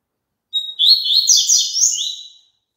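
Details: Double-collared seedeater song meant to prompt a caged bird to sing along. A short pure whistle leads into a rapid, twittering, buzzy warble of wavering high notes that trails off after about two seconds.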